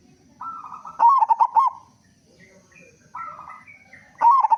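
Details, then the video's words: Local zebra dove, loud and actively singing, meant to coax other zebra doves into song: a softer steady phrase runs straight into a loud, rapidly pulsed coo, then after a pause the pair repeats, over faint low noise. "Perkutut Lokal Gacor Suara Besar Pancingan Burung Perkutut Agar Cepat Bunyi"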